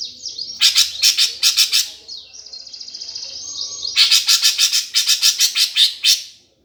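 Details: Greater green leafbird performing the gereja tarung, or fighting sparrow, song meant to provoke competition birds. Loud, harsh chattering bursts alternate with a thin, sustained high trill, repeated several times a second.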